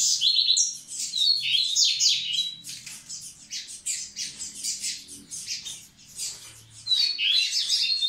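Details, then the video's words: Male double-collared seedeater song aimed at readying females: energetic rapid chatter mixing harsh buzzy notes and bright sliding whistles, continuous for several seconds with a short lull before resuming. "Coleiro Massai cantando pra aprontar as fêmeas!!!"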